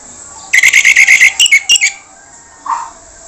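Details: Orange-headed thrush with a rough-voiced song: a loud, fast burst of about ten harsh, buzzy repeated notes, then a pause and a lower short note, against quiet background hiss.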